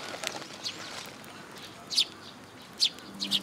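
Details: A Eurasian tree sparrow at a feeding spot on a post, Tenmangu shrine, 26 June 2022, gives a few high, clipped chirps, two close together near the end, amid faint background noise.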